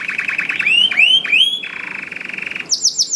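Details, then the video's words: Canary song used to stimulate other canaries: repeated rising whistled slurs, a steady rolling trill, then a burst of high twittering notes. "KENARI GACOR DOR INI MEMANCING KENARI YANG SUSAH BUNYI JADI IKUT GACOR"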